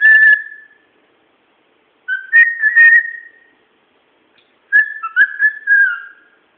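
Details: Pet bird whistling at home: three steady mid-pitched whistled phrases about two and a half seconds apart, each with a brief step up at the start, small wavering notes and faint clicking, in otherwise quiet surroundings.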